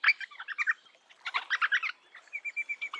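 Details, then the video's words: Eastern rosella giving bursts of clipped, mid-pitched notes in two quick clusters, then a steady row of short, piping whistles repeated about five times a second. "Chamada de Rosella Oriental! Canção de Rosella Oriental! Rosella oriental soa! Apito Rosela Oriental"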